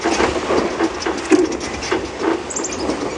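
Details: Steady rumbling, pattering vehicle noise with faint squeaks throughout, and no animal voice.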